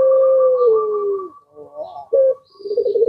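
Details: Puter pelung, a collared dove whose voice makes other birds reply: a long, low, smooth coo sliding gently down, followed by a short bubbling phrase, a brief clipped note and a throaty rolling start of another coo.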